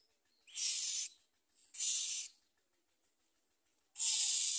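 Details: Common myna chicks at the nest with their mother, eating little and trying to bite her; three loud, harsh hissing rasps, each about half a second long, separated by short silent gaps.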